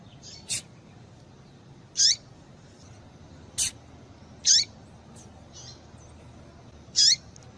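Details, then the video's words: Female double-collared seedeater call, used to get males singing: short, high, down-slurred chirps repeated at uneven intervals of roughly one to two and a half seconds, some fainter notes between, steady soft hiss beneath. "Piado de Fêmea de Papa capim Para Esquentar Papa capim"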